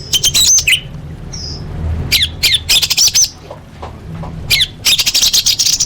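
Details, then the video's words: Master song of an orange-headed thrush, full of fill-in phrases, meant for training contest birds: bursts of sharp, high chirps and slurred whistles broken by short silences, with a low hum beneath. "Masteran Anis Merah Full Isian untuk Lomba Besar & Latber Elite"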